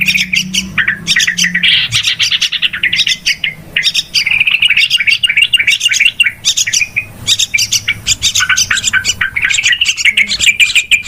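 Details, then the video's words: Yellow-vented bulbul giving noisy lure calls for trapping: a long, almost unbroken chatter of overlapping buzzy chirps and warbled notes, rising and falling in pitch. "SUARA PIKAT TRUCUKAN RIBUT"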